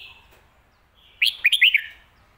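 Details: Red-whiskered bulbul delivering one phrase of the popular phat kuay tiao or mae bot song: a faint whistle, then four or five loud, fluid whistled notes in quick succession.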